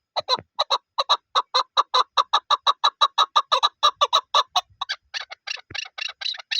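A chukar gives a long run of clipped, clucking chuk notes, about four a second, turning harsher and more ragged toward the end.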